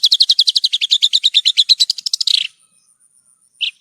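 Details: Horsfield's bush lark (branjangan) song from a masteran tutor recording: a fast run of about twenty high, evenly spaced chirps that speeds into a blurred trill, a pause, then one short high note.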